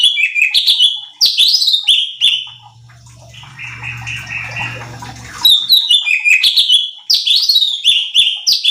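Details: Cucak cungkok bulbul training song meant to provoke other birds: bursts of loud, slurred whistled notes, each jumping up then sliding down, broken midway by a few seconds of hissy, splashing noise with a low hum.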